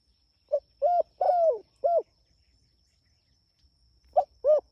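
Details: Lively spotted dove calling its companions: a complete four-coo phrase with the long third coo falling in pitch, followed after a pause by the opening two coos of another phrase.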